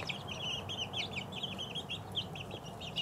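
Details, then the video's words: Shrill peeping from two-week-old chicks, quick downslurred chirps tumbling over one another several times a second, over a soft low rumble. "2 week old chicks"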